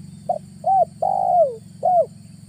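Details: Spotted dove used as an August trapping lure: a single mellow phrase of short hoot, bowed coo, long descending slurred coo and closing bowed coo, over continuous low droning noise.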